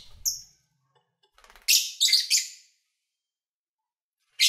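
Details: Pet lovebirds recorded while eating, playing and singing: a thin whistled note, then a rapid cluster of three harsh high chirps, followed by a pause and one more chirp at the end.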